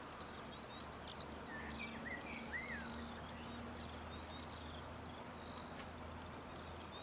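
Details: Faint, high twittering from a grey fantail: a cluster of short sweeping and rising squeaky notes in the middle of the recording, set against a continuous low hum.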